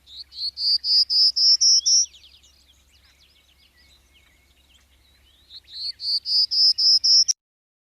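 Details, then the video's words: Prairie Warbler song: a thin, buzzy series of about eight notes rising steadily in pitch, as if climbing a chromatic scale, given twice over a faint low hum. "so okay now that's the song of the prairie warbler they sometimes talk about that bird having a song that goes up a chromatic scale"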